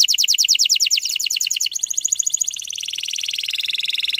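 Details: Canary trigger song for young birds, in the dense 'tembakan rapat' style. A quick trill of crisp chips changes near the middle into a smoother, faster buzzing roll that drops gradually in pitch.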